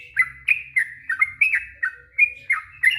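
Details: Yellow-vented bulbul singing a rapid warble (ropel panjang) meant to get stressed or silent birds to answer: short bright chirps about every third of a second, with soft low background rumble.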